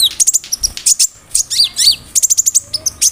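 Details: Tutor song of a konin bird packed with imitations of cricket, brem, kamade and rambatan; bursts of piercing high chirps and slurred downward whistles, rapid and uneven, with a short gap near the middle.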